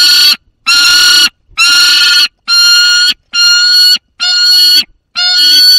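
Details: Juvenile peregrine falcon holding prey in the Barycz Valley on 30 August 2022, near a second falcon: a steady series of six loud, harsh, strained wails, each under a second, separated by brief silences.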